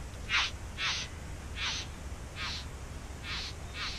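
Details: Bowerbird nesting in a backyard, giving six harsh, rasping, broadband bursts about two-thirds of a second apart, each short and hissy, over a faint low background rumble.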